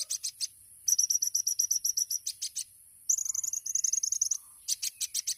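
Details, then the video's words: Tembakan-style song of the olive-backed sunbird, called kolibri ninja: clipped high notes give way to a fast, slightly buzzy trilled run, then more spaced sharp chips at the end. "MASTERAN KONIN TEMBAKAN MEWAH | SUARA BURUNG KOLIBRI NINJA JUARA"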